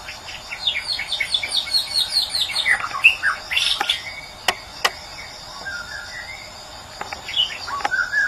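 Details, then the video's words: Medan white-rumped shama giving a busy burst of sharp chirps and downslurred whistles for about four seconds, then sparse sharp clicks and a few short whistled phrases, with a steady high drone behind. "Burung Murai Batu Medan"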